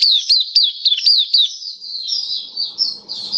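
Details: Oriental white-eye kept as a cage bird, recorded 27 October 2022. Hurried string of shrill, slurred chips about three or four per second, fading into a softer continuous high twitter with a faint low hum.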